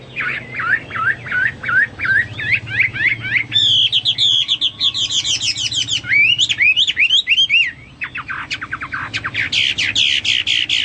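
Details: Hwamei in full, vigorous song: rapid repeated whistled notes climbing in pitch, then ringing, looping phrases and fast trills that vary constantly, with brief pauses between bursts, over a faint low hum.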